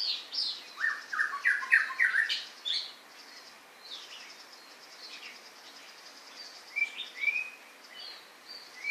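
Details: White-rumped shama singing: a rapid burst of varied whistled and chattering notes at the start, then softer scattered phrases and a few rising, slurred whistles later, with quiet gaps between.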